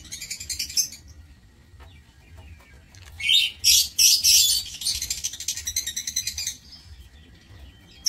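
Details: Lovebirds kept in an aviary cage, 16 March 2024: a long run of loud, grating high-pitched chatter in the middle, after softer ticking notes, trailing off into fainter rapid clicks.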